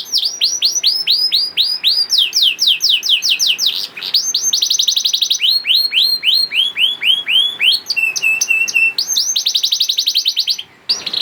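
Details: Young canary song played to get quiet canaries singing: repeated descending sweeps and rolls, a stretch of flat whistled notes, then a rapid trill before a brief break near the end.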